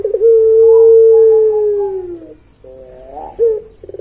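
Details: Long drawn-out coo from a puter pelung dove, a level low note held about two seconds before sagging, followed by a short wavering phrase and soft pulsed notes.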